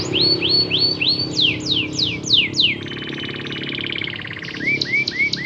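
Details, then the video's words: Canary song used as a lure to get less active canaries singing: a series of repeated sweeping whistled notes that drop in pitch, then a dense rattling trill and a run of short rising upslurred notes. "pancingan kenari gacor buat burung kenari yg kurang rajin gacor"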